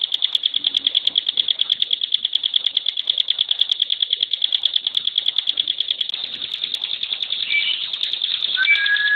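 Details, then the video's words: Bar-winged prinia (ciblek gunung/pinus), a caged contest songbird, delivering its super-fast 'tembakan' burst: dense, even, high notes repeated about three per second, with a few whistled slurs near the end. "TEMBAKAN SUPER RAPAT..!!! CIBLEKPINUS GACOR"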